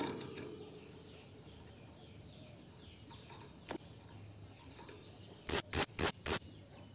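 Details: Blue-crowned hanging parrot calling a rival: one sharp, very high note, then a quick burst of four loud, shrill, squeaky notes near the end, over faint low background rumble.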